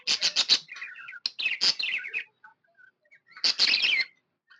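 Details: Cheerful budgie chatter, opening with four rapid harsh clicks, then wavering warbled phrases, a brief lull with soft peeps, and a final buzzy burst.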